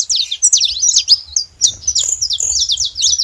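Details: Free-flying saffron finch flock in nature: a short, packed run of shrill chirps and rapid downslurred notes, then quick repeated trill-like phrases, with a faint low murmur below.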